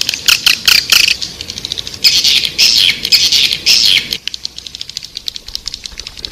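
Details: Edible-nest swiftlet lure call, a recording used to draw swiftlets into a bird house: dense high chattering and buzzy twitters in overlapping bursts, rapid clicks and chirps repeated several times a second, louder mid-clip, then thinner ticking notes.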